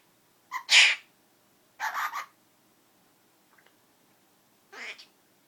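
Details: Captive female Princess parrot that has learned a person's sneezing, fart noises and a few words. Three short, harsh, breathy bursts sound like imitated sneezes, with a faint click between them.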